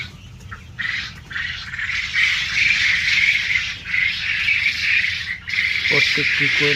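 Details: Large quail farm in Kalihati, Tangail: a dense, continuous chorus of high, scratchy chirps and squeaks from many quail at once, with a man's voice cutting in near the end.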